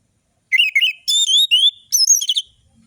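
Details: Orange-headed thrush song used to coax silent birds: wavering whistled phrases, two long rising whistles, then high sharp slurred notes and a quick trilled ending, clean with no background noise.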